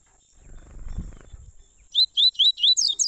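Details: Warm-up song in tui tui style from Double-collared seedeaters, father and son: a low rumbling noise fades, then a lively run of six loud, ringing, down-slurred whistled notes follows, with a steady high whine throughout.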